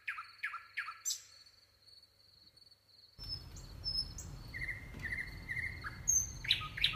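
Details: Three quick rising notes of a singing nightingale over a steady high tone, then, against louder background rumble, scattered chirps, short flat whistles and high sharp notes.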